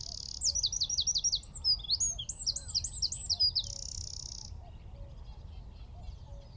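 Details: Eurasian wren singing from a tree at Wicken Fen, about 15 m away: two fast bursts of sharp repeated high notes, then a steady buzzing trill, followed by quiet background.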